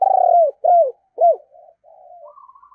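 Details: Spotted dove decoy bird in 'thổ' voice: a loud, deep rolling coo and two arched coos that trail off into soft, drawn-out murmuring notes.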